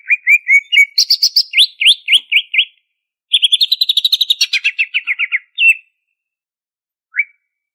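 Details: Greater green leafbird from Banyuwangi, Indonesia, singing a busy 'ngentrok' song with full fill-in phrases. Short warbled notes and upslurred whistles lead into a long, rapid rattling trill that slides lower, followed by a whistle and one last chirp.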